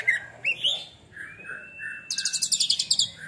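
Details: Oriental magpie-robin's 'tembakan' song: clear slurred whistles and a long steady whistle, then a fast burst of high ticking trill notes.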